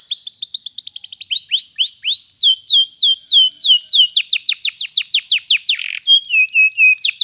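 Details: Canary singing long rolls used to teach young canaries: fast high trill, then slower arched whistles and downslurred notes, ending with short level whistles.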